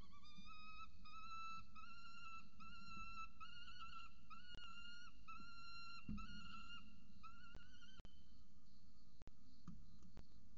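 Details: Peregrine falcon chick and mother at a nest in Orange, Australia, recorded by nest camera: clear, whining, harmonic calls repeated roughly every half second for seven seconds, then sharp clicks and hum.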